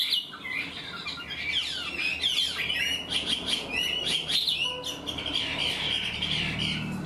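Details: Dense, energetic song of an untrained caged Chinese hwamei that sings in a structured way like a tame bird, with rapid chattering whistles and quick rising and falling notes.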